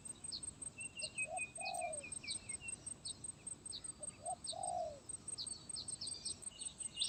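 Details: Faint spotted dove singing the stuttering sepatah 'gagap tindan' song, 23 January 2022: two phrases of short notes into a slurred falling coo, behind loud hissing background, insect-like trills and busy high bird chirps.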